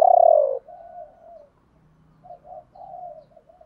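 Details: Decoy spotted dove calling to attract wild doves in the "gọi ba hậu" style: one loud, low, falling coo, then softer, fainter coos trailing off over a faint low background hum.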